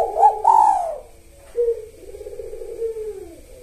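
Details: Spotted dove singing lively kuk satu style with the sahur rhythm: two loud, rising coo notes at the start, then a short bright note and long, gently undulating low cooing.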